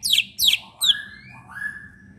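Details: Short burst from a captive leafbird lure singer: three harsh, sharply falling notes followed by two long, lower drawn-out whistles, with low humming in the background.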